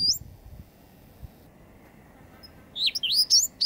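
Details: Eastern bristlebird display recorded late August 2017 at Booderee National Park, Jervis Bay: after near silence, a rapid run of high, wavering whistled notes bursts out in the final second.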